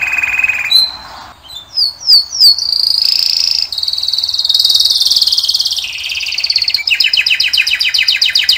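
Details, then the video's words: Male songster canary runs through varied tours: a low buzzy roll, a few sharp separate slurred notes, a long sustained high trill, then rapid repeated chopped syllables. "Пение канарейки . Певчий кенар."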